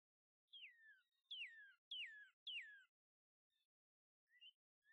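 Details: Northern cardinals, a male and female at a feeder, singing: clear whistled notes slurring down from high to low, repeated about every half second in a series of four, with faint higher chips after.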